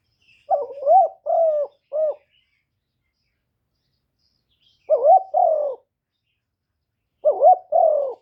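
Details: Spotted dove decoy bird cooing, a call used to lure and stir up other doves: low hooting coos in a three-note phrase, then two shorter two-note phrases after pauses, on a clean, quiet background.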